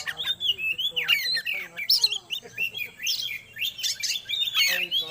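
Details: Magpie-robin singing to bring birds into breeding condition: busy, overlapping whistles and buzzy chatter with rising slurs, somewhat muffled, over faint low background murmur.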